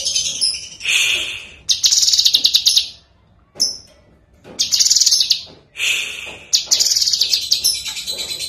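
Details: A lesser green leafbird (Chloropsis cyanopogon) sings in a clear voice: high, rapid bursts of chattering, twittering phrases, each a second or more long, separated by short pauses.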